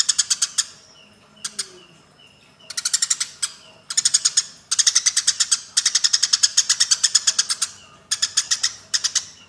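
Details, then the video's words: Eurasian tree sparrow fight: near-continuous strings of rapid, rasping chirps, ten or more per second, with a few short pauses and faint whistles. "BURUNG GEREJA TARUNG"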